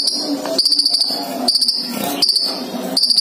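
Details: Sunbird pair, a male and a female placed together in captivity, in lively song: bursts of quick, very high ticking notes recurring roughly every second over a faint, lower background chatter.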